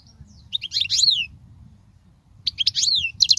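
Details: European goldfinch song meant to teach young goldfinches: two short phrases of sparkling twitters ending in a downslurred note, with a pause between them.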